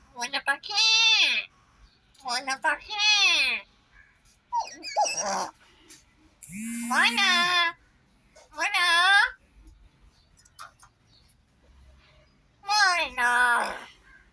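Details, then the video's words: A common myna talks in short, human-like phrases, about six bursts with pauses between, some high and squeaky, others lower and drawn out. "Myna bird Talking"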